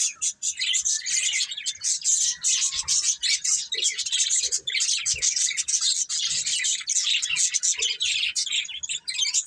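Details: Colourful budgerigars, a breeding pair, chattering without pause: dense, buzzy, high warbling chirps pour out continuously with only brief dips.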